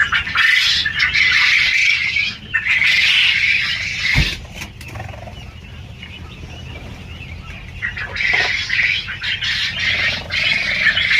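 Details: Many quail calling together on a big farm in Kalihati, Tangail, Bangladesh, as a loud wash of high, scratchy chirps. It fades for a few seconds midway with a brief low thud, then swells again.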